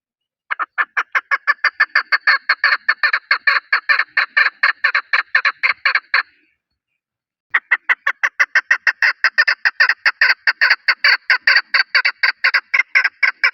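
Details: Long rapid chuk-chuk series from a chukar partridge, Pakistan's national bird: about thirty loud, evenly spaced clucks, a pause of just over a second, then roughly twenty-five more at the same brisk pace.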